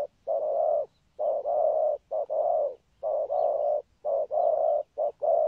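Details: Low mellow cooing from a spotted dove said to sing a full pattern with good rước and thúc gù. Clipped short coos and longer sustained coos follow in close pairs and triplets, separated by brief pauses.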